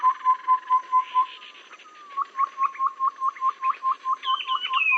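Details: Babbler trapping lure sound, said to suit both rainy and dry seasons. Steady runs of short upswept notes repeat quickly, with a brief slurred whistle between runs and higher doubled notes near the end.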